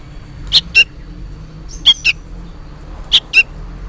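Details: Fledgling sooty-headed bulbul making noisy calls to its parent: three pairs of rasping chirps, the second note of each pair lower, spaced about every one and a half seconds.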